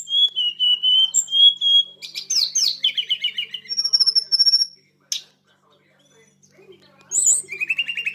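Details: Flowerpecker, a young mountain bird, delivering a rapid, very high series of thin whistles and fast stuttering trills, a pause of near silence, then renewed twittering bursts; clean, quiet surroundings.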